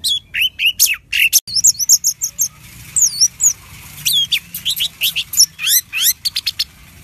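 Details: Orange-headed thrush, known for a very loud voice, sung as a lure: quick sweeping chips, high looping whistled phrases, then a steady series of rising strokes repeated several times a second.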